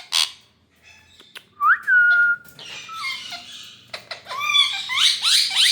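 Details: Rose-ringed parakeet in India: a sharp click, then a clear rising whistle that levels off, a lower short whistle, and a burst of harsh, harmonic squawks with downward-sweeping notes toward the end.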